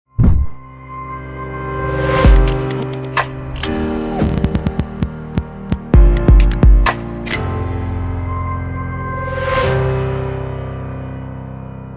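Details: Music with low sustained tones and percussive hits and swells, with no animal sounds.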